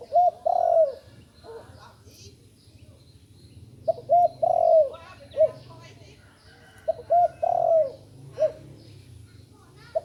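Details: Spotted dove, a young bird only recently starting to call: three similar cooing phrases roughly every three and a half seconds. Each has two quick low coos, a longer downward-sliding coo and a short final coo. Faint chirps and hum behind.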